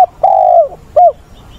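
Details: Spotted dove kept as a decoy bird, calling in the style known as giọng bổi ức chế, used to train wild-caught doves, recorded 20/8: two low mellow coos, one long and slightly falling, then a short hooked note.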